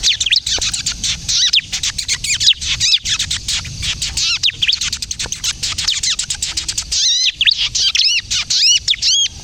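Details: Ciblek kristal, the bar-winged prinia, singing nonstop in the kejepit style used as a lure and trigger for young prinias: a dense, buzzy, high stutter of rapid chips, shifting near the end into clearer arched notes.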